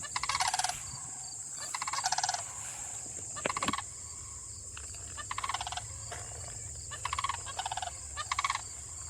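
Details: Two sandhill cranes in Michigan in spring, standing apart in a pasture and a field on either side of a fence, call to each other with loud, rolling, rattling bugles in bursts of about a second, answering several times over background hiss.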